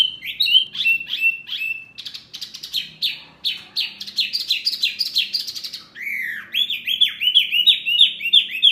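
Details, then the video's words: Birdsong used as masteran, a tutor recording meant to make caged songbirds answer; varied loud phrases of whistled, downslurred and trilled notes, fast stuttering bursts, then a long series of repeated rising-falling whistles. "Masteran burung Murai, Kacer, Cucak ijo, jalak, pasti NYAUTTTTT"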